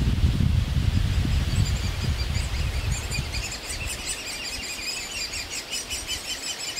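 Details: Young great spotted woodpeckers begging for food in a nest in a big old aspen while parents bring food; rapid high chirps repeat steadily, with strong low wind rumble early that fades later.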